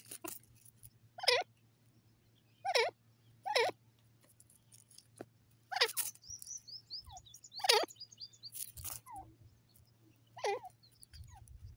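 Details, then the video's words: Grey francolin in grass, giving loud, harsh, ringing notes with a falling inflection, repeated about every one to two seconds. A thin, high twittering series from another bird runs briefly in the middle. "Grey Francolin in grass dasi Teetar ki awaaz"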